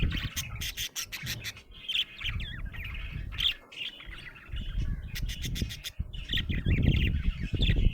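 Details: Happy budgerigar chirping: bursts of rapid dry clicking ticks alternate with squeaky, warbled chirps and short whistled slides, recurring throughout over a steady low rumbling background noise.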